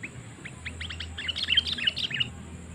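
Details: Lure call of a sooty-headed bulbul aimed at wild birds, a busy stretch of many quick, slurred chirps building into a fuller bubbling chatter, with a low hum underneath.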